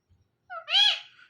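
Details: Hand-tame pet parrot indoors giving a single short meow-like call, a brief low note followed by a louder nasal, arching cry that fades out, in an otherwise quiet room.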